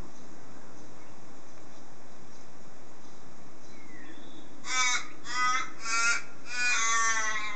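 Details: Crows calling in a garden, waking people like an alarm clock: after a stretch of steady hiss, four harsh, rasping caws come in quick succession, each rich and grating, the last one drawn out longer.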